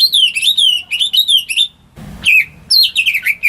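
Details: Greater green leafbird kept at home, singing to provoke birds that have gone quiet: loud, rich, sliding warbled phrases, interrupted midway by a brief noisy bump, then resuming in rapid varied song.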